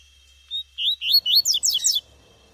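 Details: In wild scrub, a female tuitui double-collared seedeater gives a quick burst: a short thin whistle, rising slurred notes, then a tight cluster of sharp down-sweeping high chirps. Some faint low rustling below.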